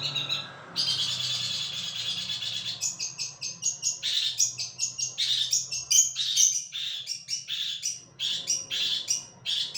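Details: Long-tailed shrike song: a fast, scratchy warble of varied high chirps and trills, with a steady low hum in the background.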